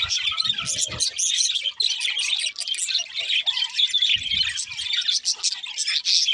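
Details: Budgerigars chirping nonstop, a busy mix of sharp high tweets, buzzy warbles and scratchy notes overlapping without pause, plus a few soft low bumps near the start and middle.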